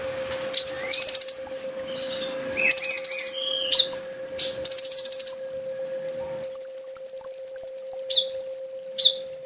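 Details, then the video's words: Olive-backed sunbird master song in full tembak style, used to train caged birds: varied high rattles and chips, then long, rapid, beaded trills alternating with sharp slurs, over a faint constant hum. "Suara masteran burung kolibri ninja full tembak"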